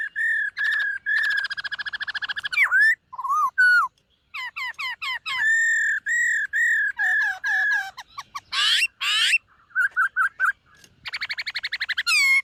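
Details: Long, varied morning training song of a white-cheeked laughingthrush: buzzy trilled phrases, staccato whistles, steady level notes, a harsh rising burst and a closing rapid buzzy trill, with almost no pauses.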